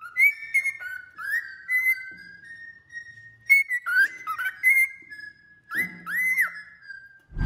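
A male cockatiel sings clear, warbling whistles that slide up and down, ending with two rising-and-falling arched notes and a soft thump.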